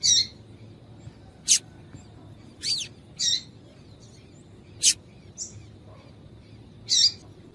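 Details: Female yellow-bellied seedeater calling to stimulate males, a sound prized by tournament breeders: harsh high chirps mixed with thin sharp ticks and one short sweeping note, irregularly spaced over several seconds, faint hum underneath.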